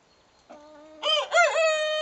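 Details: Young Salmon Faverolles rooster, hatched 19 September 2012, crowing for about a week: a short low note, then a rising, wavering crow breaking into two upward bends and ending in a held tone.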